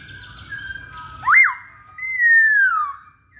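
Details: Masked laughingthrush singing: a soft whistled line, then a sharp upswept note and a long, clear, slowly falling whistle.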